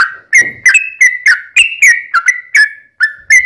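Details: Sooty-headed bulbul singing as a lure for other bulbuls; short run of liquid whistled notes and quick slurs, evenly paced with a brief gap near the end.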